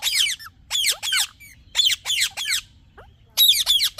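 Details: Talking parrot producing a run of harsh, high chirps, each a quick downward-sliding burst, repeated irregularly about every half second.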